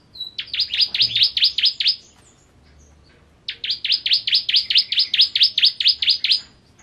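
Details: Ciblek or bar-winged prinia repeating two energetic bursts of shrill, rapid chirps, the second running about three seconds, in a quiet setting.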